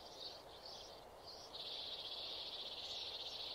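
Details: A nearly mature sparrow in a trapping setting gives three quick high chirps, then breaks into a long, fast, buzzy chatter at steady high pitch over a soft outdoor hiss.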